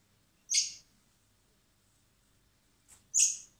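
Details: Hand-fed common blackbird chicks at a wildlife recovery centre in spring, to be released later; two high, harsh begging squeals about two and a half seconds apart, with a faint click just before the second.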